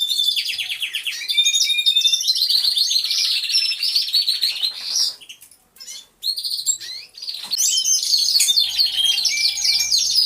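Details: Chorus of aviary canaries filmed with a hidden camera: busy high trilled and warbled song from many birds, briefly dropping to near silence midway before the overlapping rapid phrases resume.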